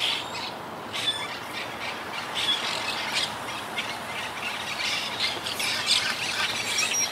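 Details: Wild Quaker parakeet colony calling high in the trees, a colony that lost about half its members to hurricane Irma in 2017 and has been regrouping. Many overlapping harsh, high squawks blend into a steady chattering wash.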